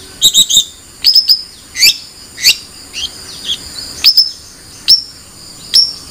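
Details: Long-tailed shrike giving sharp, high upslurred chirps, singly and in small groups, separated by quiet gaps of up to a second.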